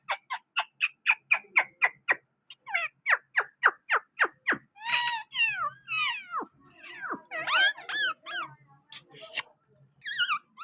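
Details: Pakistani green parrot at a window calling rapidly: a quick string of sharp descending squeaks, then longer warbling, wavering whistles and harsh chatter, in a small room.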